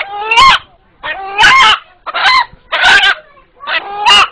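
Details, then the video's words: An eight-month-old village rooster in Bangladesh, whose fright call is likened to "Allah Allah", gives five short, harsh, rising-and-falling calls, one about every second, amid a noisy, crowded background. "উপস্থিত যারা এই মোরগের ডাক শুনলেন এখন তাদের সাথে একটু কথা বলি"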